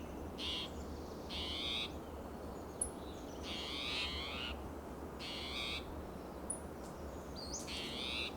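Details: Agitated spotted towhee calling loudly and persistently on a June morning in Del Monte Forest, California, among coast live oak and Monterey pine; five harsh, buzzy, drawn-out calls at uneven gaps, over a low steady background rumble.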